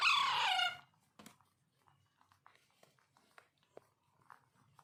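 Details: A single rasping begging call with a strong harmonic tone comes from a hand-tamed Alexandrine parakeet chick being hand-fed. Quiet clicks and ticks from the feeding follow.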